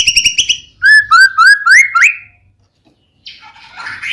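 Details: Murai batu, the white-rumped shama, used as a singing lure for another shama: a quick buzzy rattle, then four upslurred whistles in sequence, silence, and a harsh scratchy note at the end.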